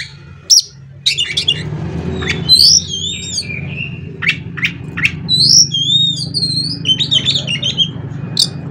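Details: Captive Oriental magpie-robin (kacer) giving an "isian konslet" song used to rouse other magpie-robins; sweet sliding whistles and quick chattering notes rise above a steady low mechanical hum.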